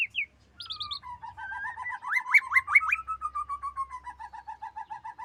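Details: Female white-rumped shama: layered whistled notes in rapid succession, some bright upslurs mid-way, settling into an even, steadily repeated chain of soft whistles.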